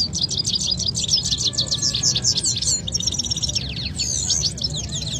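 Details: Competing canaries in Quetta sing in a singing fight. High, continuous rolling trills and buzzy notes fill the recording with only a brief dip near the middle. Steady low noise sits below.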